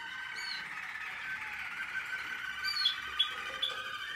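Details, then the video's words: American Singer canary in training, 2021, giving a softer, sustained warbling song with steady twittered tones, broken by a few sharp higher chirps and quick slides toward the end. "American singer canary"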